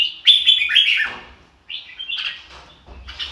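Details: Red-whiskered bulbul, "ro kích bổi" song style: a loud sweet whistled phrase that slides downward, a short silence, then softer warbling notes and a final brief chirp.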